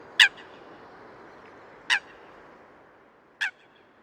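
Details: Eurasian coot (Fulica atra) recorded in the wild gives three short, sharp, explosive notes about a second and a half apart, each a loud metallic 'kowk'; faint background hiss.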